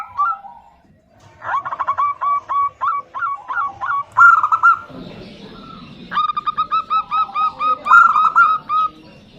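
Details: Female zebra dove calling to a male: two staccato series of short, even cooing notes, each about a dozen long, separated by a softer, muffled stretch.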